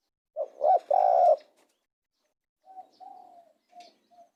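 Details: Spotted dove with a loud phrase of two short coos and a long held coo, then a quieter fainter series of low coos after a pause.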